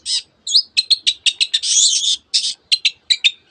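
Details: Long-tailed shrike singing densely, its song filled with canary and other borrowed bird phrases: clipped high chirps in a rapid run, then a longer harsh scratchy burst, then more sharp staccato notes.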